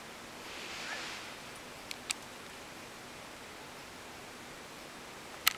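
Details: Low outdoor hiss with a faint rustle and a few sharp clicks, without any animal call.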